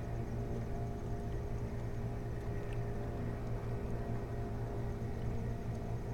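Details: Constant low mechanical hum and broadband background noise throughout, with no animal calls heard.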